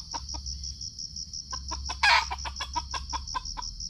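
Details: Red junglefowl clucking during a lure-trapping session in Sumatra, GoPro recording: spaced clucks building into a faster run after one loud harsh burst at mid-point, backed by a continuous pulsing cricket chorus.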